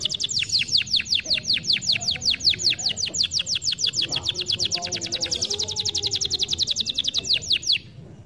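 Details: Canary song played to stimulate lazy birds to sing: a rapid, steady series of high, downslurred whistled notes, about seven per second, running without a break for nearly eight seconds, with a faint low hum underneath.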